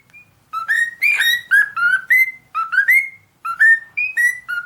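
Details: Singing cockatiel delivering quick bright whistles, each note sliding upward or held level, packed into rapid phrases with brief pauses between them.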